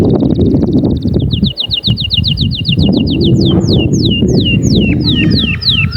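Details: Canary singing to rouse other canaries: a fast high trill, then a chain of quick dipping notes slowing into long falling whistles, over heavy low rumbling noise.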